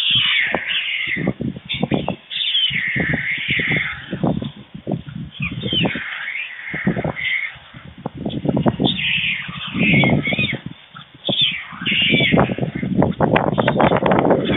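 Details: White stork nest webcam in Forhde, Germany, 16 July 2019 around midday, as the adult male brings lunch to two nearly fledged nestlings: harsh, raspy bursts and wavering higher calls in uneven runs, with rustling and thumping at the nest.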